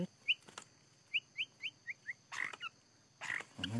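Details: Scarlet minivet during bird trapping, a bird caught within three minutes; six short, sharp upslurred whistled notes in quick succession, then clattering and rustling handling noises.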